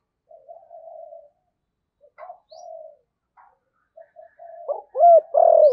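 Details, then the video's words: Decoy spotted dove in the 'thổ' voice style: soft low humming notes at first, building to two or three loud, full, downward-curving coos at the end. "cu gáy giọng thổ/ cu gáy giọng thổ sấm"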